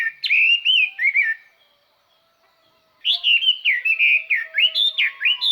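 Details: Chinese hwamei kept as a lure, singing loud and clear to draw in wild birds; a second of rich whistled slurs, a pause of over a second, then a longer run of strong, varied whistles.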